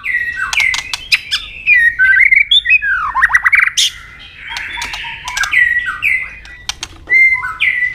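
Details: Double-note fighting song of a tail-clicking white-rumped shama, sung to fire up a rival: loud, varied warbles and slurred whistles tumbling in quick bursts, broken by sharp clicks and brief pauses.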